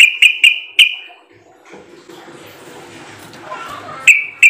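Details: Lure call of a sooty-headed bulbul meant to prompt replies: four quick, clear chirps at the start, a quieter middle with soft background noise, and two more chirps at the end.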